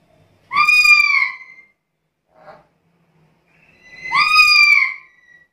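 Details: Vocal black-capped lory giving two loud, drawn-out screeching whistles about three seconds apart, each bending slightly downward, with a faint short sound between them.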